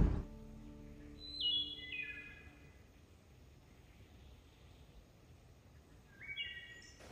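Two fluty phrases of clear, stepped whistles, each sliding down in short notes, about five seconds apart; a low humming tone opens the clip.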